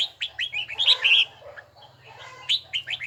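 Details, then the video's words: Red-whiskered bulbul training its voice in a bell-toned style: a quick run of bright, slurred whistled notes, a pause of about a second, then another short burst of clear chirps. "Chào mào luyện giọng hay nhất ||Nghe mãi không chán|| Tông giọng chuông đều chuẩn đúng nhịpnhất"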